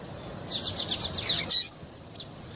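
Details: Female double-collared seedeater calling to stir a male into singing: a rapid run of about ten sharp, high chirps over roughly one second, then quiet with a faint note at the end.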